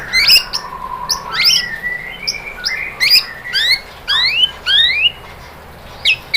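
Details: White-rumped shama lure song to provoke another shama: scattered sharp upslurred whistles over steady background hiss.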